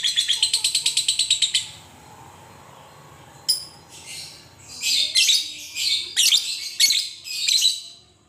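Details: Lovebird fighter giving a long ngekek chatter used as a lure to provoke other lovebirds to sing: a fast train of about fourteen sharp, evenly spaced high notes, then a pause and several irregular bursts of harsh, buzzy chattering.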